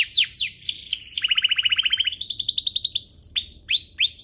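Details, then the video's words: Canary song for tutoring young canaries; descending sweeps give way to a fast, evenly pulsed trill, then a higher rolling phrase, thin steady whistles and rising slurred notes. "Suaranya MUDAH DITIRU, Efektif untuk Masteran Kenari Paud dan Pancingan kenari biar gacor"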